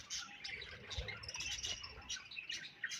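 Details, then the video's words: Budgie chirping in a brief burst of overlapping high squeaks and twittering notes, steady and busy throughout. "Budgies Chirping Sounds"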